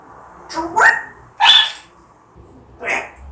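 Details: Pet African grey parrot that is described as very angry, giving three harsh, raspy squawks about half a second apart, the middle one loudest and broadest, over a quiet indoor background.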